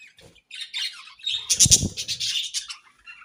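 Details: Budgerigars in breeding season give scratchy chirps and warbled chatter, rising to a loud burst with low thumping or fluttering in the middle, then fading to scattered soft notes.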